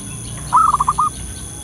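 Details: Wild local zebra dove calling in the wild, offered as a lure call: one short phrase with a longer first coo followed by four quick, clipped coos, all at one steady pitch, against a quiet background hiss.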